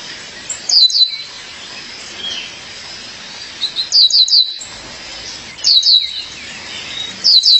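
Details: Calling her partner, a female violaceous euphonia delivers repeated groups of three sharp, high descending chirps at irregular intervals, with faint softer notes between.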